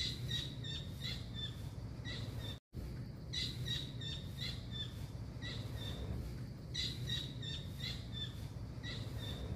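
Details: Blue kingfisher recorded as a master track for teaching caged songbirds; crisp high chips in rapid clusters repeat through the clip, broken by a brief dropout near the start, with a constant low background hum.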